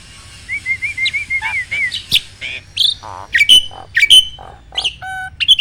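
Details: Starling singing, played to encourage reluctant caged starlings to sing: a run of rolling whistled notes gives way to sharp chips, high squeaks, clicks and short buzzy notes in a lively, irregular sequence.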